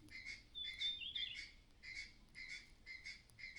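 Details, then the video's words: Clattering warning notes from a mother myna sensing danger nearby, harsh rasps in quick pairs and runs, a bright high whistle weaving through the early part, quiet background. "The mother bird is acting strangely, making a clattering sound—there may be danger nearby."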